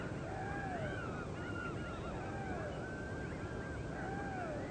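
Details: Nest of great blue heron chicks chirping for food before breakfast, heard in slow motion: three arched, moaning cries spaced about two seconds apart, with thinner twisting calls from other chicks between, over continuous rushing noise.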